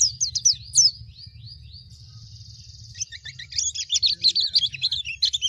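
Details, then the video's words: Pleci Baduy white-eye singing a high, rapid twittering song of thin, looping whistled notes, with a buzzy, even trill in the middle before the quick chatter resumes; faint low rumble underneath. "Suara Pleci Baduy"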